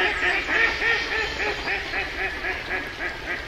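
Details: Ducks keep up a regular series of quacks, roughly four a second, each a rounded nasal note. The calling sounds a little softer and more even than a close call.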